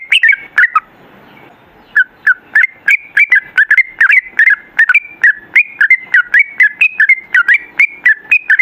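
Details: Sooty-headed bulbul singing a long 'ropel' song: after a brief hissy pause near the start, a sustained series of short whistled notes, each with a quick pitch flick, repeated about three per second in a steady rhythm.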